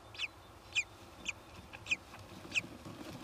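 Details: Kestrel at the nest during egg hatching, where the male comes in to look at the newly hatched young; five short, high, slightly falling calls about every half second over a soft low background rumble.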